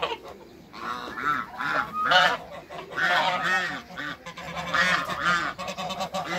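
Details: Mixed African and Toulouse geese on a farm honk repeatedly, rough nasal calls rising and falling in clusters over a steady background murmur of lower grunting notes from the flock.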